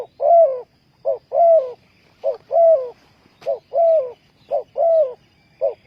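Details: Spotted dove used as a decoy to lure wild doves into a ground trap: low hollow coos in paired phrases, a short clipped note then a longer swelling, slightly falling coo, repeated about once a second with faint rural background.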